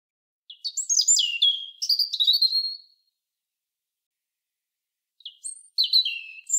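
A European robin sings two phrases of thin, high, tumbling notes, the first about two and a half seconds long, the second after a pause. No other sounds.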